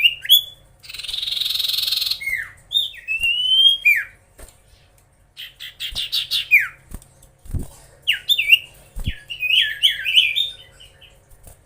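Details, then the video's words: Chatty common iora singing to rouse rival birds, opening with a loud harsh buzzy burst, then bright slurred whistles and quick twittering phrases separated by short pauses, with a few soft knocks. "SIRTU/CIPOH GACOR BIKIN EMOSI SEMUA LAWAN!"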